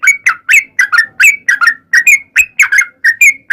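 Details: Sooty-headed bulbul in 'ropel panjang' style, a long rapid song played to lure other bulbuls into singing: short whistled notes bending up and down, delivered in quick pairs and singles with brief gaps, clean background.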